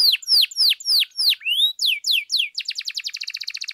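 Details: Canary song played to raise other canaries' excitement: loud down-slurred whistles repeated in series, a rising sweep, then a quick dry trill of rapid repeated notes.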